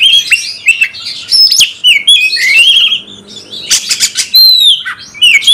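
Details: Oriental magpie-robin, a caged songbird, singing hard to provoke a fighting response: loud, varied phrases of rich whistles, sharp upslurred notes and scratchy bursts in quick succession, with brief pauses between flurries.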